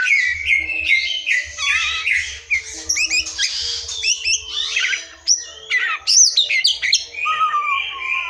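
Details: Forest white-rumped shama, a recording used to draw song from silent or young shamas, gives a busy, varied run of high chirps, steep slides and clipped notes, ending in lower slurred whistles.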